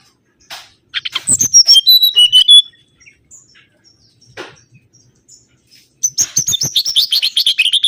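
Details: A mangrove whistler lure recording with a phrase of clean whistled notes sliding downward in steps, a quiet gap with scattered chips, then a dense run of rapid repeated high whistles to the end.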